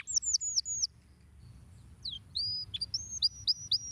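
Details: Canary singing in bursts for tutoring. Flat high whistled notes come in quick groups, followed by a pause of about a second, then further whistles and a short downslurred note. Soft background hum.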